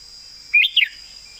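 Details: Red-whiskered bulbul master song for songbird competition, given as one short phrase of two linked, fluty, up-and-down whistles against a continuous high hum.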